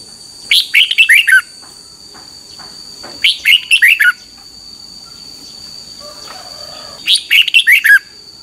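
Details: Morning song of a Red-whiskered bulbul, recorded as a training voice for caged birds: three quick phrases of sharp, descending chirpy warbles, each under a second, spaced about three seconds apart, over a constant high-pitched tone.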